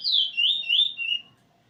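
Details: A single fluted phrase from a Eurasian bullfinch being tutored in song, 13 August 2020: one long whistle that slides down, wavers up and down three times, then fades out.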